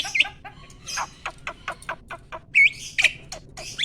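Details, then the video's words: Mature male Asian pied starling in breeding condition, kept as a farm bird, singing in its peak mating season: a jumble of harsh squawks, clicks and short buzzy notes mixed with a few clear upward-curving whistles. "BURUNG JALAK GACOR MOMPA-MOMPA!!! JANTAN TULEN."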